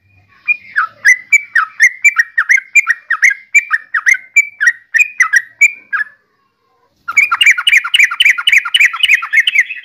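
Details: {'text': 'Yellow-vented bulbul (trucukan) singing: a bubbly string of short, slurred whistled notes, about four per second for six seconds. After a brief silence it switches to a denser, faster chatter.'}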